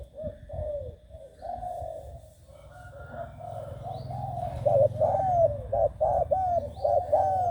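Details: Six-month-old trained spotted dove, Bang Kaeo Tai style, first giving soft, muffled coos over low rumbling noise, then a louder run of quick, clipped hollow coos with falling tails.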